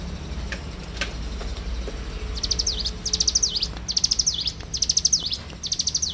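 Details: Morning song of a bar-winged prinia: after a quiet start with a few scattered clicks, bursts of fast high chipping notes each finishing in a slurred dip begin and repeat about once a second.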